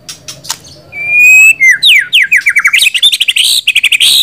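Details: White-rumped shama delivering a long clear whistle, then fast descending slurred notes breaking into a rapid high chattering trill, loud and close.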